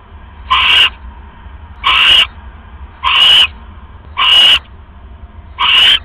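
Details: Owl pair at a nest at 3:40 AM on October 5, 2015, with a rat just delivered; five harsh, noisy screeches spaced roughly every 1.2 seconds, each abrupt and breathy.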